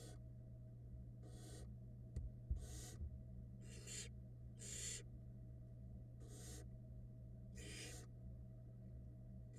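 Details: Female barn owl feeding her young nestlings in a Florida nest box: a run of breathy, noisy hissing bursts of uneven length, irregularly spaced, with a few knocks and a persistent low mechanical hum.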